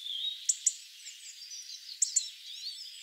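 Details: Hawfinches in Ivanovo, Russia, give two pairs of sharp, high, clicking 'tzik' calls over soft chattering and twittering from other small birds.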